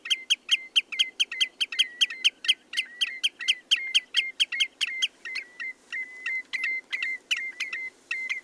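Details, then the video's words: Common redshank delivering a fast chain of clipped whistled notes at a constant pitch, roughly three per second, easing into more spaced, smoother whistles toward the end, against a quiet hiss. "The song of the Common redshanks"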